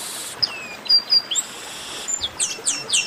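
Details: Chestnut-capped blackbird singing: a few sharp thin whistles and a descending slur, a pause with faint hiss, then a quick run of high, bright, down-sweeping notes repeated about every quarter second.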